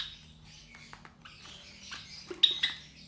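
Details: Captive Java sparrow chicks around 23 days old, three young from a white Java sparrow pair. Soft, scattered squeaky chirps rise to a couple of sharp, louder notes near the end.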